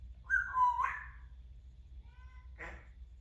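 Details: Chatty pet male Timneh African grey parrot gives a bending, whistled two-part note that drops then jumps, followed after a pause by a fainter whistle and a brief rough syllable, with low background hum.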